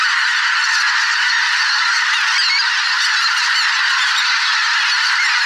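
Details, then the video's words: Thousands of migrating geese in a spring swamp, a mixed flock of greater white-fronted, bean, barnacle and pink-footed geese: a dense, unbroken wall of overlapping honks and yelps, loud and steady throughout, with no single caller standing out. "Geese - large flock of migrating birds in spring"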